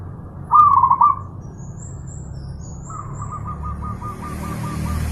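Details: A zebra dove delivers a short, loud, rolling coo phrase, then a longer, quieter run of evenly spaced beaded notes, on a training master for pet birds. A low hum sits underneath.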